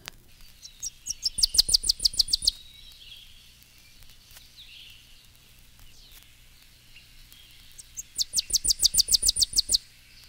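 Tennessee Warbler sings twice, each song a rapid, high, dry series of about a dozen staccato chips that quickens toward the end. A faint hiss fills the background.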